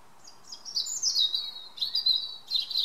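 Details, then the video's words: European robin singing in the evening in a garden: a high, thin warbling phrase of sliding whistles, dropping slowly in pitch, then a brief pause and a second bright, trilled phrase. "A Robin's evening song."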